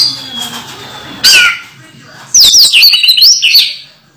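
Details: Caged orange-headed thrush in moult, still singing actively: a faint thin whistle, a sharp high note, a pause, then a fast burst of high twisting whistled notes.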